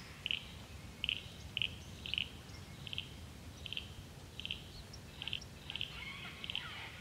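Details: Grey fantail on the Illawarra Escarpment in rain, darting about chasing insects; faint, short, high chipping notes repeated about every half second, a dozen in all, over a hushed rainy background.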